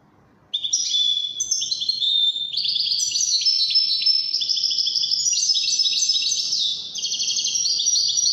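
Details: After a brief quiet start, a European goldfinch of the Wydani type launches into lively, high-pitched twittering song, with rapid jingling chirps and trilled runs continuing steadily for nearly eight seconds.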